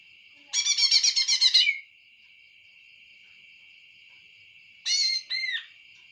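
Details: A dense, buzzy trill of fast repeated notes from a greater green leafbird lasting over a second, later followed by two short sweeping whistles, with a constant high whine behind.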